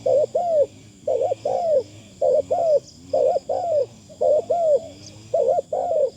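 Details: Spotted Dove decoy bird calling delicately: regular doublets of rounded, arching low coos repeating about once a second, set against a faint continuous high-pitched tone.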